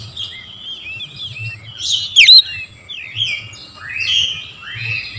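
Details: Oriental magpie-robin singing in the morning, played as a lure to prompt other birds to sing: a varied, overlapping warble of short sweeping whistles and chirps, one sharp loud note near the middle, with a faint low hum underneath.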